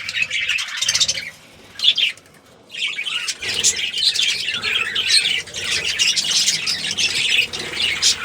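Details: Budgies of a breeding colony break into chattering flurries of high chirps after a short near-silent pause, then keep up a steady, overlapping twitter.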